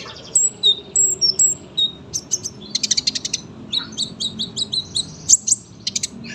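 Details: Sunbird with a long, dense song used as a tutor for other songbirds: clear high whistled notes at first, then quick paired chirps and short ticking trills.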